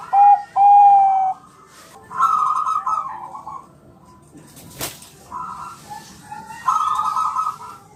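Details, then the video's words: Champion zebra dove of the Bangkok type in a reply-prompting recording: two loud clear tonal notes open, then trilled vibrating coos, with a sharp click in the middle. "Suara perkutut bangkok juara masteran ampuh bikin langsung nyaut gacor"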